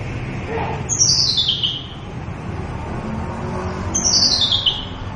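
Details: Javan bush lark, a bird said to be much sought after by songbird keepers and nearly gone from the wild, giving its full-repertoire song: two high, thin notes sliding downward, about three seconds apart, over a steady background hum.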